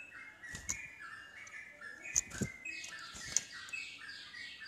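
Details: Yellow-vented bulbul singing to provoke other bulbuls to answer, in a rapid flowing style: chains of liquid, slurred whistled notes in quick succession, with occasional low thumps and sharp clicks.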